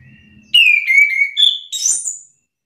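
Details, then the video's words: Orange-headed thrush (anis kembang) roused into counter-singing with another bird. A faint low murmur gives way to a descending slurred whistle, then a short higher note, then a high, buzzy, rough-edged note. "Anis kembang mu langsung terpancing emosi ikut bunyi sahut sahutan"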